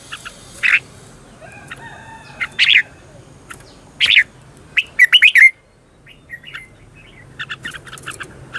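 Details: Red-whiskered bulbul lure song used to excite birds into singing: separate chirps at first, then a fast rolling run of four loud notes, followed by softer scattered twitters.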